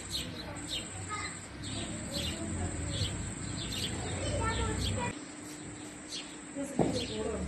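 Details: Baby house sparrows being fed by a parent: a busy run of rapid, high, falling chirps, several per second, over steady low hum and a faint voice.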